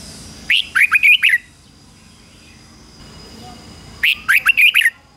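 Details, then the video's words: Red-whiskered bulbul used as a decoy, singing to draw wild rivals in to fight: two brisk phrases of five or six bright, slurred whistled notes, separated by about two and a half seconds of quiet. "Chào mào mồi hót gọi bổi đỉnh cao chuẩn nhất - chào mào mồi kích bổi về đấu hay nhất chào mào hót"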